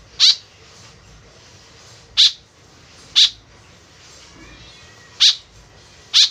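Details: Five rasping, buzzy notes from a vocally active white-breasted woodswallow whose call serves as a lure, spaced irregularly between one and two seconds apart, with faint background hiss.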